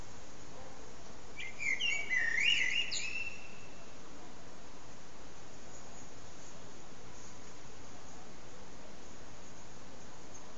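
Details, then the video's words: Common blackbird singing its evening song at sunset: a single mellow, fluty warbled phrase of about two seconds, followed by a steady low background rumble. "Blackbird's evening song"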